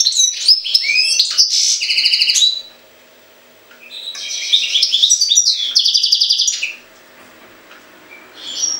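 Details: European goldfinch from Jagodina singing two energetic bursts of tinkling, buzzy twittering separated by a brief pause, with a third phrase just starting at the end; faint hum in the background.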